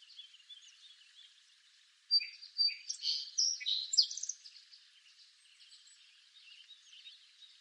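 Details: {'caption': 'Song sparrow from eastern North America singing one bright, high song of several clear introductory notes and quick jumbled chirps and buzzes lasting about two seconds; faint twittering before and after.'}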